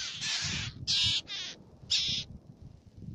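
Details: Black-naped tern at Fares, Baa Atoll, in the Maldives: a few loud, harsh, screeching calls about a second apart, with soft wind rumble underneath.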